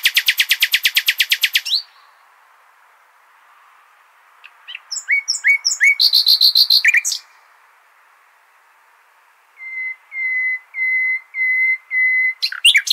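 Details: A nightingale performs al-Hasaniya style song for tutoring goldfinch and hybrid chicks. It opens with a fast loud rattle, then, after a pause, dropping notes and a dense trill. A final slow series of pure whistled notes repeats about every half second.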